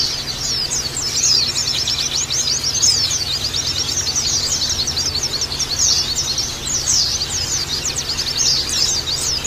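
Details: Lure and therapy recording of Oriental white-eye meant to make the bird sing open-beaked. Unbroken stream of thin, high, fast chirps and warbling trills that swell and ease slightly, over a faint constant low hum.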